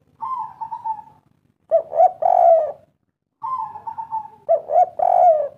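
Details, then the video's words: Spotted dove, local kuk 3 style: a level trilling coo, a pause, then two quick notes and a long hoarse falling coo, with the whole phrase repeated about three seconds later. "Derkuku kuk 3 lokal gacor ngamuk || suara asli pikat tua"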